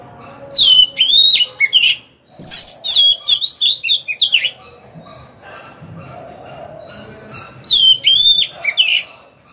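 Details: Oriental magpie-robin serving as a decoy, singing to draw wild rivals into a fight. Bright, looping whistled phrases with quick trills come in two long bursts, followed by a shorter final phrase.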